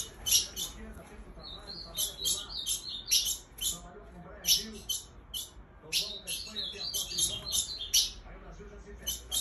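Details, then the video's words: Female ultramarine grosbeak calling, said to excite males: high, sharp chirps and short twittering notes in uneven clusters, with quieter murmuring in the background. "piada da fêmia de azulão mãezinha"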